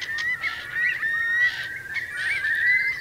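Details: Dense chorus of Eurasian curlews roosting by the thousands in Marquenterre's wet meadows, Bay of Somme, France, at high tide, 7 October 2021: continuous overlapping whistled calls from many birds, steady and unbroken.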